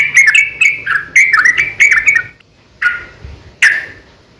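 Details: Sooty-headed bulbul fighting song, used as a lure to draw other bulbuls into singing: quick runs of liquid, warbled notes for two seconds, then two separate short bubbling phrases after pauses.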